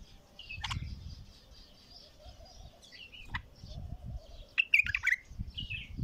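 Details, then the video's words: Bulbul singing in short bursts of bright, chirpy notes, a quick cluster of sharp tweets near the end, over a steady low wavering hum and soft rumbling background noise. "بلبل خام حنجره ثكيله"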